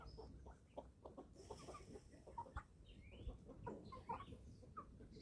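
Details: Eleven-week-old farm chicks in Germany at feeding time, low rapid clucking from the group, with thin whistled chirps and slurred higher notes heard above, plus occasional sharp taps.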